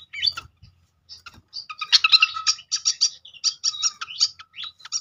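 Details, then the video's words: Malaysian pied fantail (srikatan kipas) lure call meant to make birds answer and sing: a few scattered chirps, then a dense run of buzzy, clipped high notes in quick groups with short pauses. "langsung Nyaut seketika pancingan khas burung srikatan kipas"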